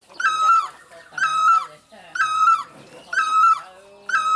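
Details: Great barbet giving a loud, nasal, yelping note with strong harmonics, each note slightly falling at the end, repeated about once a second, five times in quick succession.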